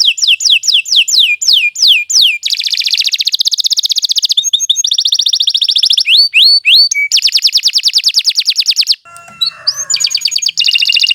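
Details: Continuous canary song of fast trills and repeated falling sweeps, changing tours every second or two, with a brief softer scratchy section near the end.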